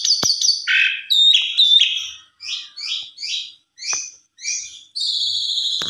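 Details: Javan pied starling lure song with loud varied whistles and buzzes. Short chattering phrases are repeated about twice a second with brief gaps, then a long high sustained whistle.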